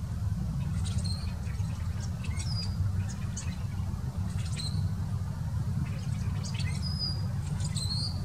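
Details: Rusty blackbirds in winter in Southern Maryland give high, squeaky, creaking notes and thin sliding whistles in short bursts every second or two, over a steady low rumble of wind or distant traffic.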